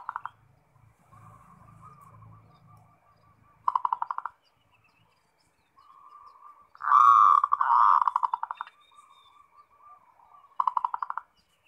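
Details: Zebra dove, a 'ngerot' singer used as a lure for other doves: short trilled bursts recur among soft, steady cooing, with a loud double rolling phrase midway and a faint low rumble early on.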